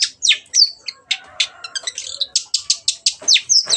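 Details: Vigorous Long-tailed shrike song, meant as a lure so that birds which have stopped singing start again. A fast run of varied high chirps, buzzy strokes and whistles, almost continuous; nothing else clearly heard.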